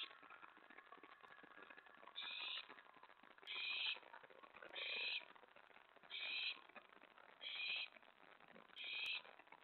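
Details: Owl at its nest around 1:15–1:20 AM on 24 May 2017, with mouse and rat deliveries: six rasping screeches, each about half a second, repeated fairly evenly every 1.3 seconds.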